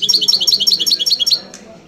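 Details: European goldfinch song: a quick, tinkling run of about a dozen high, bright, repeated notes in just over a second, ending with a faint rasp.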